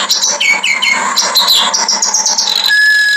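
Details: Kerak basi, the clamorous reed warbler, in rough master-style nonstop singing: a fast jumble of grating, scratchy notes and quick slurred whistles, ending in a clear sustained whistle, with a steady hum underneath.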